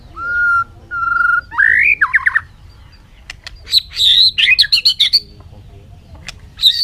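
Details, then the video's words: A bird sings two steady, low whistles and then a rising note, followed by a lively run of high twittering and chattering notes. "suab noog quaj zoo heev"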